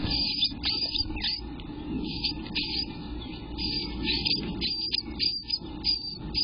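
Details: Eastern bluebird nestlings on day 12, recorded on an afternoon to evening in June 2021: raspy, buzzy bursts repeated in quick, uneven clusters over a steady low hum, with brief gaps between volleys.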